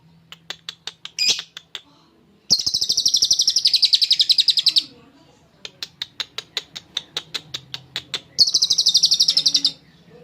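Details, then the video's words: Lovebird singing in ngekek style, used as tutor song for training birds and filled with cililin-style notes: sharp repeated chips lead into a fast, buzzy chattering trill of about two seconds, more evenly spaced chips, then another chattering burst. "Love bird juara ngekek isian cililin cocok buat masteran"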